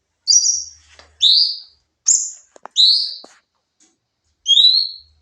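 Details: Sooty-headed bulbul, nembak song used as a masteran training recording: five high, short whistled phrases, some sliding upward, with a few soft clicks between them and a pause before the last note.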